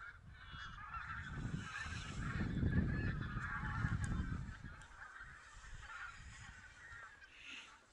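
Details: Mixed goose flock, possibly Barnacle, White-fronted, Greylag and Bean Geese, Silesia, 11-13 November 2016, during a count; steady overlapping honks throughout, with a swell of low wind rumble in the middle that fades toward the end.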